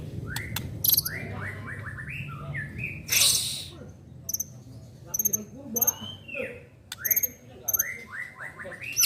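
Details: A young white-rumped shama kept as a competition prospect sings looping whistled phrases with rising and falling slurs, broken by a sharp noise burst and interspersed with high thin ticks.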